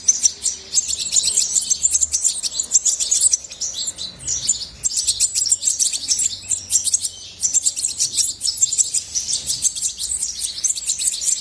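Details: Continuous high, bright twittering from European goldfinch: fast chirps and jingling notes running in bursts with short pauses, no other clear sounds.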